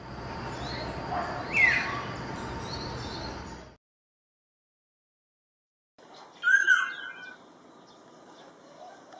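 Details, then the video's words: A Black-naped oriole gives two brief, liquid, fluted whistles a few seconds apart, with a short silence between them, over a steady background hiss. "Black naped oriole birds singing the beautiful songs"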